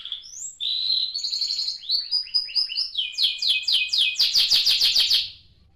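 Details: Canary roughly 30 days old kept as a pet, a bright song of high whistles sliding into quick repeated trill notes, pulsing steadily for several seconds before fading.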